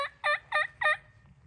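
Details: Merriam's wild turkey on the Grand Canyon's north rim, roosting in trees after sunset, gobbles four quick, harsh, gurgling notes about a third of a second apart, with a faint low rumble underneath.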